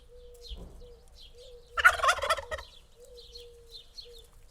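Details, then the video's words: Single loud, rapid gobble from a turkey in the middle, framed by soft, steady repeated tonal notes and faint high chirps. "Turkey Sounds, Turkey Calling"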